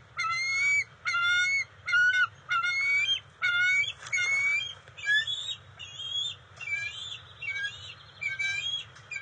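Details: Bald eagles at their NCTC nest as the female brings fish to the eaglets, June 27, 2021; a run of loud, sharp piping notes about twice a second, giving way to softer, rapid twittering chips over a low background hum.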